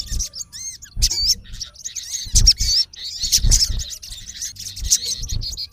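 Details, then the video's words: Male olive-backed sunbird calling a rival in its natural habitat: high, quickly rising and falling squeaks and twittering chirps in irregular clusters, with low thumping sounds between them. "MALE SUNBIRD CALLING RIVAL -SOGON GACOR MEMANGGIL LAWAN KASAR"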